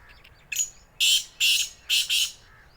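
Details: Black francolin (local name kala teeter) in Sindh, Pakistan: a short series of harsh, grating notes, two then two paired bursts, loud and scratchy over a quiet background.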